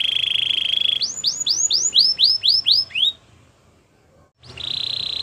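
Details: Training song of a Belgian canary, opening with a bright rolling trill, then a fast series of about ten sharp descending whistled slurs, a brief pause, and another rolling trill.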